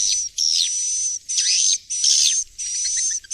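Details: Swiftlet roosting sound played at a swiftlet house to make young swiftlets settle and stay: high, hissy twittering bursts with a thin whistled tone and falling chirps, repeated in blocks about every half second.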